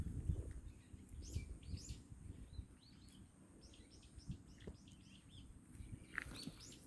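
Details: Small birds on a windy day give thin, high chirps and short twittering phrases, scattered loosely over several seconds, while heavy wind rumble fills the low end throughout.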